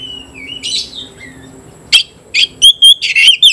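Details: Oriental magpie-robin in full song against a rival: a long thin whistle, then loud harsh buzzy bursts and sharp fluttering high notes after a pause, with a faint low hum behind.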